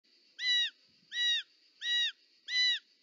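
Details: Short-toed snake eagle at its nest in Parc Natural dels Ports, Catalonia, on 18 July 2024, the mother arriving with a snake; four arched, harmonic-rich calls evenly spaced about every 0.7 seconds, with a steady high background hum.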